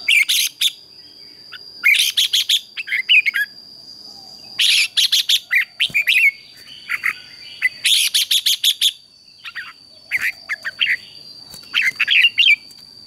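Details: Red-whiskered bulbul morning competition song used for training: three bursts of quick, rich chattering and whistled notes, each about two seconds, with a steady high electronic whine throughout.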